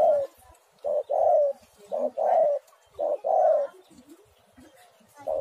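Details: Spotted dove singing, used as a lure to prompt other doves to sing. Low, mellow cooing: a short coo followed by a longer hoarse coo, the pair repeated about once a second, with quiet gaps between.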